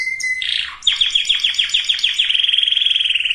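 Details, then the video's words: Canary singing, used to prepare females and males for breeding: a steady whistled note, then a loud series of fast rattling trills and rolls, speeding into a dense buzzy trill near the end. "اقوى وافضل تغريد كناري لتجهيز الاناث وتجهيز الذكور canary singing"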